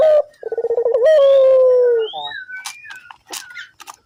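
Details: Barbary dove lure call to make other doves join in: a short note, a burst of rapid throbbing pulses, and a long slightly falling coo, then thin whistled chirps of small birds.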